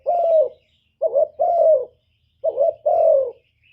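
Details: Spotted dove used as a decoy, cooing to attract wild birds. A long falling coo opens, then two pairs of a short warbled note plus a sustained descending note, in a clean, quiet setting.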